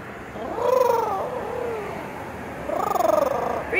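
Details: A parrot at Solary Park in Oviedo, Florida, trills while greeting people. Two pulsing, warbling trills rise and fall in pitch, each lasting under a second, separated by a softer wavering note and quiet background.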